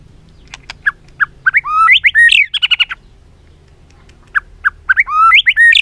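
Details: White-rumped shama singing as training material for other shamas. Sharp clicks lead into bright rising whistles and a tight burst of stacked chattering notes. A quiet pause follows, then more upslurred whistles.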